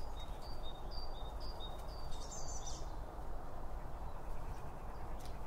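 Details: At a feeder, birds eat and give a quick run of thin, high chirps, evenly spaced for about three seconds, then fall quiet; binaural microphones beside the feed also pick up steady low background noise.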